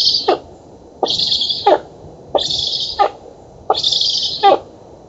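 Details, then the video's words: Young black storks on an oak nest in Poland, 11 August 2017, beg during feeding with four hoarse hissing calls in five seconds; each hiss begins and ends with a sharp click. "Bociany czarne z Polski (dąb) 2017 08 11 Karmienie"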